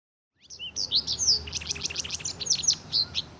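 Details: Recently fledged Japanese wagtail young, being fed by a parent of this resident breeding species, give a rapid, excited run of high, thin chirps, several per second, with some notes sliding downward.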